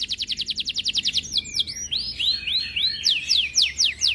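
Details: Canary in breeding condition, singing hard and aggressive on hearing other birds: a fast series of high descending whistled notes, then varied sweeping slurs and rising trills, bright and continuous.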